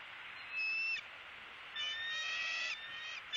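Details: Bald eagles feeding on a Southwest Florida nest, January 28, 2017, with a one-month-old eaglet pulling at a delivered opossum. There is a short high whistled note, then a longer, harmonically rich piping call, with faint hiss behind.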